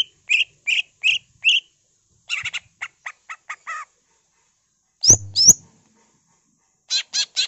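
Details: Energetic greater green leafbird song with an imitation-filled ngentrok delivery: four quick chirps, a rattling burst of clipped notes, two loud upward-sweeping whistles, then another fast trio of sharp notes.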